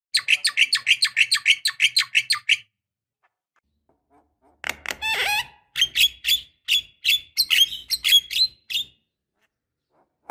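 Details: Javan myna, a female calling a male, used as a lure: a rapid chatter of about twenty scratchy notes over two and a half seconds, silence, then a harsh squawk and an uneven run of high buzzy chips.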